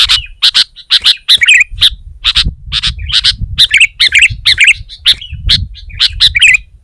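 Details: Sooty-headed bulbul singing hard against a rival, provoking other bulbuls to join: a continuous, busy series of crisp chirps and bubbly, twisting warbled phrases, repeated rapidly, over a low rumble.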